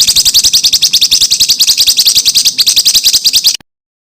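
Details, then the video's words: Contest-bird training song packed with tight rapid-fire notes. A steady fast trill of high, slightly buzzy notes runs without a break for over three seconds and then stops abruptly. "BURUNG MASTERAN FULL ISIAN UNTUK BURUNG LOMBA"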